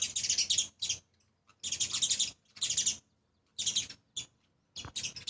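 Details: A pair of sparrows with their two young, visiting a 7th-floor spot to eat grains, chirp in harsh, high bursts of rapid notes, roughly every second, with brief silent gaps between.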